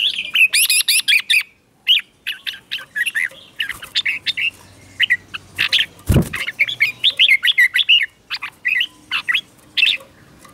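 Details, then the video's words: Red-whiskered bulbul singing in the morning during song training, in the style called 'chè'. Dense bursts of bright, warbling, chattering notes come in quick runs, with a short pause near two seconds and a brief low thump mid-way. "Luyện chào mào hót sáng, QUÁ HAY - CHÉ KÍCH BỔI CĂNG ĐÉT"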